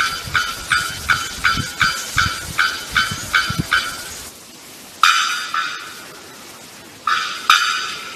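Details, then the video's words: Bearded bellbird giving a run of loud, sharp, clanging notes, about two per second for four seconds, then a pause followed by more ringing, metallic strikes spaced roughly two seconds apart, each trailing off with an echo. "Bearded bellbird sound"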